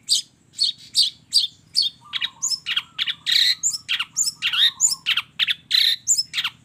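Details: Long-tailed shrike in energetic, full combination song packed with mimicked fill phrases: a rapid stream of harsh squawks, sharp chirps and buzzy notes, with a low steady whistle running beneath the middle section.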